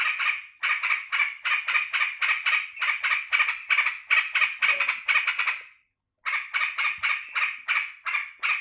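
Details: Cared-for yellow-vented bulbul cheerfully greeting its returning keeper: rapid, grating notes repeated about three times a second, a half-second silence, then the same chattering resumes.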